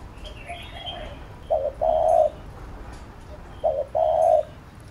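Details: Spotted dove cooing, used to train a bird: two low, hollow coo phrases, each a short note followed by a longer drawn-out one, about two seconds apart, with faint background noise.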